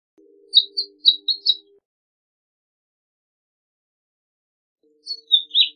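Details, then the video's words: Short House Finch song fragments: a quick run of four or five high chirped notes over a faint low hum, then a long pause, then a brief burst of two or three slurred notes ending in a buzzy drop. "I will show you the song and the main characteristics of the House Finch. Enjoy it."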